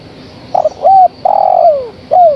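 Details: A female spotted dove calls the male with a short coo, a rising-then-falling coo, a long coo gliding down at its end, and a closing downward coo, over a faint constant hum.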